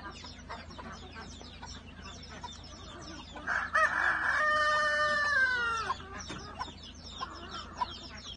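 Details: Morning at the coop as the hens come out: one loud, drawn-out rooster crow lasting about two seconds, surrounded by busy clucking from many birds and a constant low hum.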